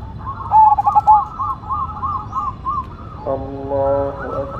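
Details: Zebra dove (perkutut) of the Cemani Majapahit type singing actively with a big voice: one loud cooing phrase of quick stuttered notes ending in a drawn-out coo. Softer arched coos from other doves and a steady harmonic tone follow.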